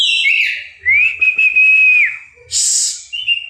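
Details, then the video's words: Oriental magpie-robin song: a few sliding whistles, then a rising note that levels into a long pure held whistle, a harsh buzzy burst high up, and a short clear closing whistle. "burung kacer"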